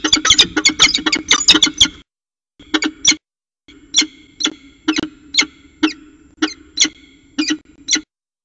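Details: A northern goshawk pair mating on the nest rim at a water tower, 5 February 2018: a dense rattle of harsh notes, then slower, evenly spaced sharp calls, over a faint hum.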